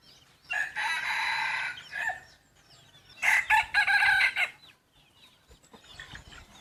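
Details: Young yellow-strain decoy rooster, a cross between domestic chicken and wild junglefowl, crowing twice: loud, harsh, drawn-out crows of about a second each, separated by a short pause, with faint background chatter.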